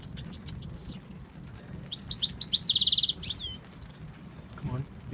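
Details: Male European goldfinch from Tunisia, urged on by a man's voice, sings a burst of liquid chirps leading into a rapid buzzy trill and downward slurred notes, followed by quieter twitters.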